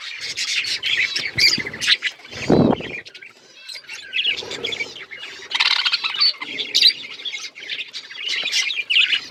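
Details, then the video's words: Budgerigars chatter in a dense, continuous jumble of scratchy warbles and sharp high chirps, with a brief lower squawk partway through. "Budgies relaxing sounds Birds chirping sounds"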